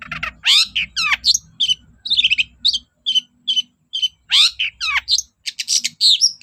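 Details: Long-tailed shrike singing hard, played as a lure to make shrikes sing: sweeping downward slurred whistles alternate with short rasping chirps in quick succession, over low background rumble.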